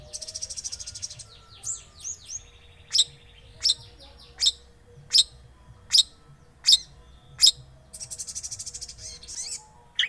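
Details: Long-tailed shrike lure recording, played to coax a silent shrike into singing: a buzzy, rattling high phrase opens, then sharp clipped notes repeat about every 0.7 seconds before another rattling burst, with faint low hum behind.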